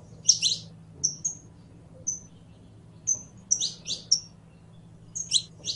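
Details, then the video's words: Song of a saffron finch (canario criollo): loud buzzy sweeping chirps opening and closing, with thin whistled notes spaced between, all high-pitched and irregular in rhythm. "CANTO DE CANARIO CRIOLLO CANTANDO"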